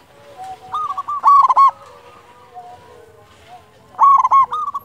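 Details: Zebra dove cooing used as a lure to prompt quiet doves to sing: two rolling phrases of quick stuttered coos, with a quiet pause between them.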